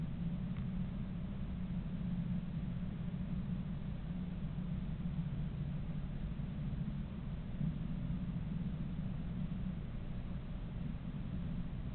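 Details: A steady low rumble like passing traffic or an engine fills the recording, with no animal calls heard.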